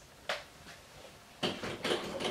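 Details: A female African Grey Parrot says "I'll be back" in a few quick, clipped, voice-like syllables right after a door clicks as her owner leaves the room, a phrase she learned untrained from hearing it at departures.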